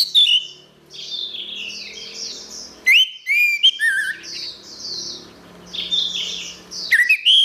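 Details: Orange-headed thrush song for training caged birds: a lively mix of high whistled slurs, quick downward-sweeping notes and sharp chips, with a steady wash of softer twittering between the louder phrases.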